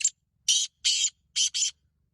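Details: Black francolin, called kala titar, calling in a harsh scratchy phrase of five high, hissing bursts, the last two closely paired, in an otherwise quiet setting.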